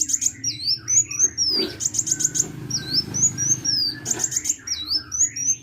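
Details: Sunbird singing vigorously (gacor): clusters of tiny ticking notes alternate with swooping high whistles, repeated in quick phrases over a persistent low hum.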